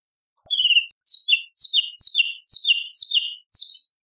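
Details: Cucak cungkok bulbul as training material for contest birds: seven clear, high, downslurred whistled notes repeated about every half second, each dropping in pitch in a steady series.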